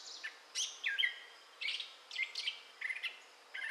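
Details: Gray catbird singing in southwest Michigan in May 2011: a jumbled run of varied squeaky, scratchy and whistled phrases, some sweeping down, others held flat, delivered in short bursts with brief gaps.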